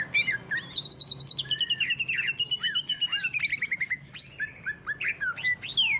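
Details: Greater green leafbird in lavish ngentrok song, intended to spur other leafbirds to sing: a fast rattling trill leading into a long sustained wavering whistle, then scattered slurred chirps.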